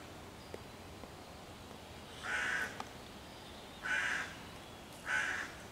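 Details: Three harsh, evenly spaced caws from a hooded crow persecuting five young raccoons hidden in tree foliage near their hollow on 11 June 2023, calling loudly to drive them off and rally other crows to attack.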